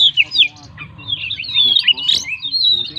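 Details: Oriental magpie-robin singing gacor with full isian: short whistled slurs, then a rising scratchy warble with a sharp peak and a level whistle, over a low hum.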